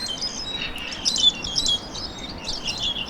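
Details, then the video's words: Starlings at Century Park, Shanghai, China (three regular species there): a busy chatter of harsh squawks and whistled chirps, several birds overlapping without pause, over faint low background hum. "Hear that? Those are starlings, and Shanghai has three regular species."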